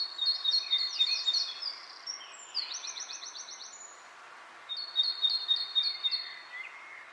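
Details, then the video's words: Bird chirping outdoors with wind in the leaves: bright, high twittering trills in quick bursts, a pause near the middle, then another run of rapid repeated chirps. "Wind blows leaves, leaves bird chirping sound"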